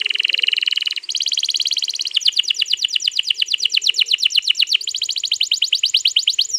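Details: Canary giving a long rolling song used to prompt another canary to sing, recorded 21 April 2022: a high, steady buzzy trill, then rapid repeated notes shifting to faster, sweeping rolls, loud and continuous.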